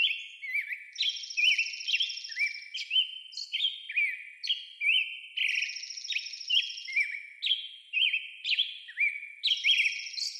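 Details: American robin singing: clear slurred whistled phrases, rising and falling, given in quick repeated runs, with a high buzzy trill recurring between them.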